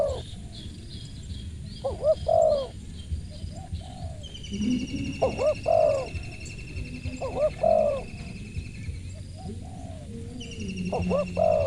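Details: Spotted dove with a crisp voice cooing repeatedly: short stuttered notes and longer coos at intervals of a couple of seconds. Steady high whistles and softer low sounds are mixed in behind the calls.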